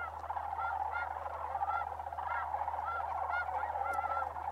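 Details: Migrating sandhill cranes calling in December at Bosque del Apache Wildlife Refuge, New Mexico; clear arched, bugling notes repeat over a crowded rolling chorus, with a brief sharp click near the end and low hum.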